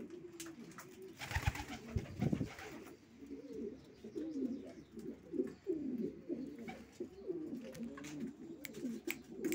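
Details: Racing pigeon cooing in throaty, wavering phrases that run almost continuously after a loud flutter and thumps at the start, with light clicks throughout.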